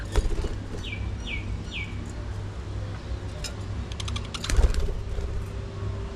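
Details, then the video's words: Budgerigars at early morning feeding time: three quick descending whistled notes, then a few clicks and faint flutters, over a steady low hum. "19 Minutes Budgies Full Time Activities | Early Morning Feeding Time"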